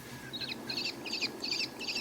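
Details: Peregrine falcon call heard as if from above while flying over open pasture landscape: a run of five harsh, scratchy, high notes, about two or three each second, over a faint low background hiss.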